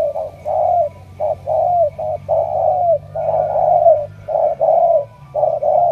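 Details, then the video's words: Spotted dove, picked as a strong cooer and bound for Hải Dương, Vietnam, giving loud runs of low coos, long falling notes between short choppy ones, with brief pauses between phrases. "Tuyển đồng siêu gù"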